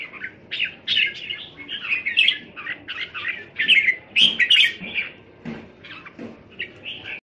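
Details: Red-whiskered bulbuls kept in groups at a home in Thailand, recorded 27 January 2021, deliver a steady stream of rapid chirped and warbled phrases, several birds overlapping throughout.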